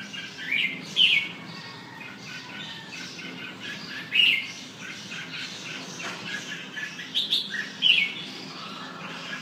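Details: Red-whiskered bulbul song of short whistled and chattering phrases, delivered in irregular bursts a few seconds apart, with softer chirps filling the gaps.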